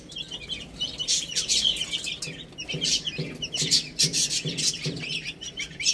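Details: Young chicks playing and eating give a busy mass of piercing peeps, some in fast clusters, with soft rhythmic low taps beneath.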